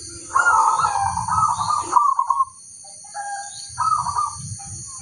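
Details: Actively singing local zebra dove, a crossbred line kept for tutoring other birds: a long rolling coo, a brief pause, then shorter burbling coo phrases, over a low rumbling background and constant high-pitched hiss.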